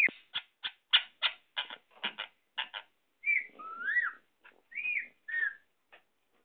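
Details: Indian ringneck parakeet, also called sindhi parrot, talking: a quick run of about nine short, harsh, speech-like syllables, then several clear whistled notes that rise and fall, ending with a few clipped sounds.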